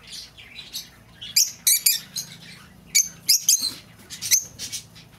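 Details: Shrill lovebird chatter, meant for luring an escaped bird home: rapid piercing squeaks and chirps in quick clusters, separated by brief pauses, with a faint low indoor hum beneath.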